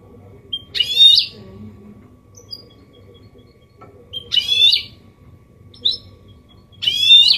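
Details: Caged goldfinch hybrid (mule) singing a clean copia malaga style song, used to stimulate males to sing and teach chicks; short bright twittering bursts with rapid trills, about three phrases separated by pauses, faint low background hum.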